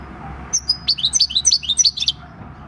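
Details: Wild-caught six-year-old European goldfinch singing its natural field song, recorded 26 December 2019: a quick run of bright, sharp twittering notes, each a short high chirp, tumbling over about a second and a half against a quiet background.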